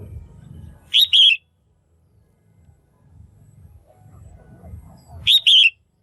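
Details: A female red-whiskered bulbul in a cage gives her call to stimulate males or to pair: twin whistled notes repeated after about four seconds, over a continuous low rumbling background.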